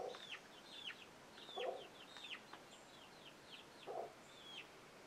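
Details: Chicks and a hen that warns them with an alert sound; scattered high, downward-sweeping peeps and two low, soft clucks in a quiet background.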